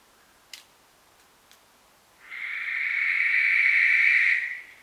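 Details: Western barn owl screech: after two faint clicks, a long harsh hissing rasp begins suddenly, holds steady and loud for about two seconds, then fades out.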